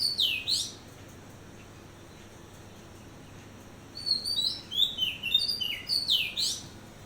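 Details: Oriental magpie-robin calling at dawn: a short swooping whistled phrase, a pause of about three seconds, then a lively run of clear, varied, slurred whistles rising and falling over about three seconds, with a final swooping note.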